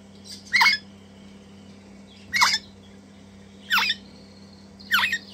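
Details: Crimson Rosella chicks, a pair being hand-fed in captivity; four short, harsh, buzzy squawks spaced roughly one to one and a half seconds apart, with a constant low electrical hum.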